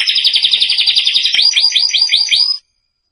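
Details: Canary song meant for training young canaries: a dense rattling trill of quick notes, then a string of clear rising upslurred whistles, stopping abruptly into silence.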